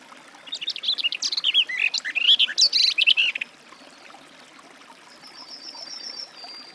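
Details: Garden warbler (Sylvia borin) delivering a lively, babbling warble for about three seconds, then silence broken only by a thin, high whistle from another bird.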